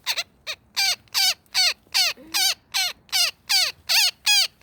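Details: Net-caught woodpecker screaming in distress, a dozen loud, harsh squawks each ending in a falling tail, regularly spaced, with a short faint tone midway.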